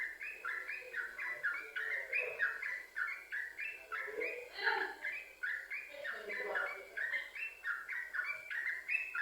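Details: Yellow-vented bulbul singing non-stop as a lure for other bulbuls: fast, bubbly rising and falling chirps run together in a steady chain, with a few lower warbled notes mixed in.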